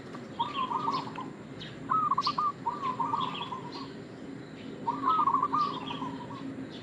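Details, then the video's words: Local zebra dove (perkutut) used as a bait/lure call gives soft, rapid staccato coos rolling into a short trilled phrase, repeated every few seconds over a faint hiss and distant chirps. "Perkutut lokal gacor suara pancingan"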